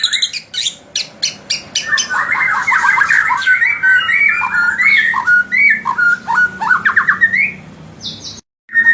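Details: White-rumped shama singing as a lure to provoke rival birds: opening sharp clicks, then a long, rapid, varied run of whistled slurs and chattering notes, followed by a brief cut and one last high note.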